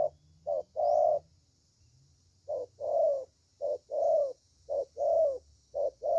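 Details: Spotted dove singing: repeated two-part coos, a short soft note then a fuller drawn-out one, given in a steady series after a brief pause near the start.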